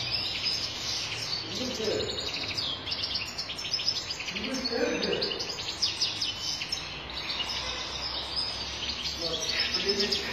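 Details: European goldfinch singing in the strong, flawless sharmar style: a continuous rapid, high twittering chatter of tinkling and buzzy notes throughout, with a few faint lower murmurs in the background.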